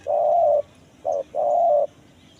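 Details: Kuk 1 mersik cooing of a spotted dove, a lure for wild forest birds: a long level coo, a short clipped note, then another long coo, steady and mellow.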